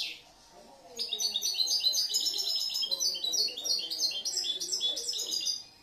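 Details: Young European goldfinch from last year, a versatile composer of song, starts after a quiet second and pours out dense, rapid, tinkling twitters about four per second, with soft low background murmur.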